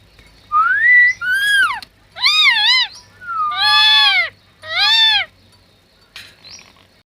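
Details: Natural talking parrot: a rising whistle, then four loud, arched, speech-like syllables with rich harmonics, each lasting about half a second, separated by short silences in a quiet setting.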